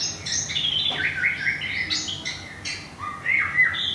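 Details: Caged white-rumped shama from Thung Song, Thailand, recently moved and moulting, feathers nearly regrown, sings a rapid run of varied whistled notes, sliding phrases dropping and rising, over a low background hum.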